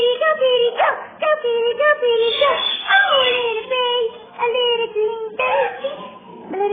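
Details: A pet male Hahn's (red-shouldered) macaw says "peekaboo" in short, jerky, hiccup-like bursts about once a second while playing peekaboo with photos on an indoor bar; the tone is slightly muffled.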